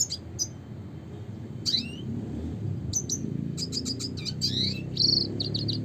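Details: Red siskin song, classic 'gacor' style: scattered high chirps and downward-slurred notes, building into a faster twittering sequence with a brief buzzy trill near the end, over low background rumble.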